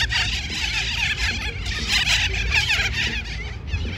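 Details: A flock of little corellas, recorded 24 January, screeching harshly and continuously in many raspy overlapping shrieks over a steady low traffic-like rumble.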